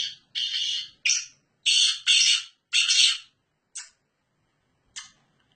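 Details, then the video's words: Black francolin (Sindhi kala teetar) calling while perched on its keeper's hand: loud, harsh, grating notes, several drawn out and some clipped short, followed by two brief rasps and then silence. "Hath paw bolny wala Sindhi Gangus teetar"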